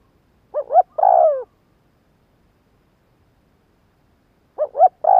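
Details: Spotted dove calling to excite wild doves: two quick rising notes lead into a long, burry descending coo. After a pause the same opening pattern starts again, with quiet background throughout.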